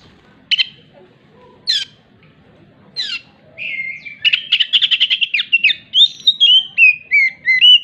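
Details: Singing oriental magpie-robin whose song reportedly mimics a hen clucking after laying; three separate sharp harsh chacks, then a rapid chattering run flowing into a descending series of sweet whistled notes.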